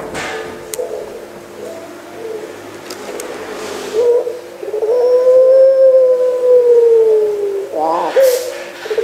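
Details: A pelung-type Barbary dove, a captive bird offered on 3 March 2020, gives a long, drawn-out, mellow coo that swells and slowly falls over about four seconds, after softer murmurs, in a quiet indoor setting.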